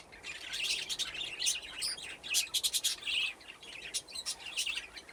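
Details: Budgerigar flock in an aviary, playing around nesting boxes; dense twittering chatter with bright, rapid chirps stacked close together, growing busier midway.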